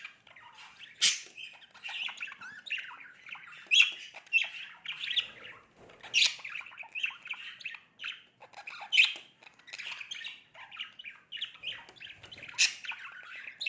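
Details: A male budgerigar, playing with his own reflection, chatters continuously in warbling, scratchy notes broken by sharp high squawks.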